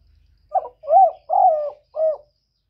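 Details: A decoy spotted dove challenges a wild bird with one soft cooing phrase: a short clipped note followed by three longer, smooth, slightly falling coos, with a faint low rumble at the start.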